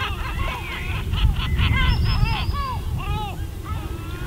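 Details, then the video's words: Close, loud gull cries on an Elba pebble beach, Italy: a rapid burst of bent, nasal yelps with strong overtones, over heavy low surf roar. "Gabbiani suono rilassante"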